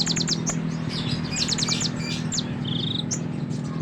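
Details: Sunbird song used as a master recording for training other songbirds: rapid high chirps and thin twittering notes in quick runs, a short even trill near the end, over a steady low hum.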